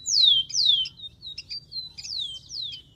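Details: Loud, clear downslurred whistles from a rufous-collared sparrow in the wild, repeated about every half second with short chirps between them.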